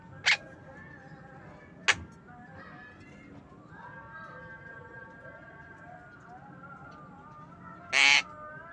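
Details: Afternoon calls of a pet Javan myna: two short, sharp rasping notes near the start, then a loud harsh burst near the end. Faint tonal whistles run through the middle, over a low murmur.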